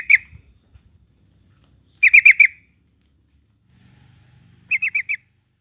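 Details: Sooty-headed bulbul song used as a lure to draw other birds into singing; short bursts of three or four quick, bubbly notes, with long silent gaps between bursts and a faint low hum.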